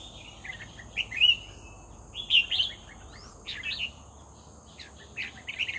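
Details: Red-whiskered bulbul, a lively singer, heard during a bird-luring session: short, bubbly, warbled phrases repeated at irregular intervals, each a quick run of liquid notes, over a steady high insect-like hum.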